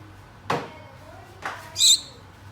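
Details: A pet Gouldian finch, one of a pair, gives one brief, high, thin call after two dull knocking sounds; the owner describes it as calling its mate.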